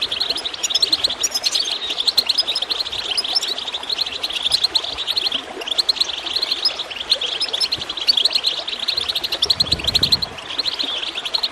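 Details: High goldfinch chatter and chirps run across gurgling water, intended to stimulate birds to sing. Rapid tinkling notes come in waves, and a soft splash sounds near the end.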